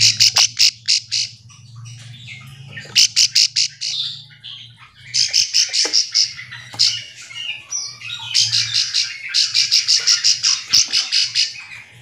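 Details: Bar-winged prinia in rice fields calling to companions, a call used to provoke other prinias into answering back and forth: bursts of five to eight sharp, high rapid chirps with short pauses, over a faint low hum.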